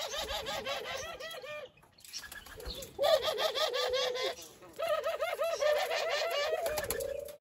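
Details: Captive Barbary dove laughing: repeated bursts of fast, rolling, wavering coos, each run lasting one to two seconds with short pauses between, loud and close, with faint chirps in the background.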